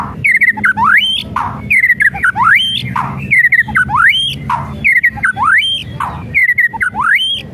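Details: White-rumped shama whistles and rattles as a lure to rouse a reluctant bird to sing: a looping phrase of quick stepped whistles followed by a steeply rising whistle, repeated about every 1.2 seconds, alternating with rough rattling noise bursts.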